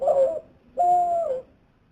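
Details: Several white-winged doves; one gives two low, hollow coos, a short note and then a longer, slightly falling one, with a faint high hiss in the background.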